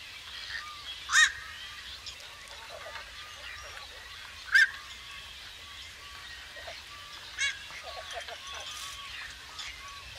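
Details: Black-crowned night heron of wetland areas, seen during migration seasons, uttering single abrupt harsh croaks about every three to four seconds over a quiet hiss of background noise.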